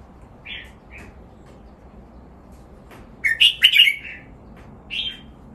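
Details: Caged red-whiskered bulbul singing for song training: sparse short whistled phrases near the start, then a loud burst of rich warbled notes around the middle and a final brief whistle, with quiet pauses between.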